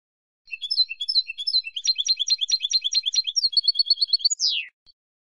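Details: Spanish European goldfinch singing a lively twittering phrase: stuttered high chips give way to a fast rattling series, then a steady run of bright ticks, ending in a long downward-sliding whistle. No other sounds.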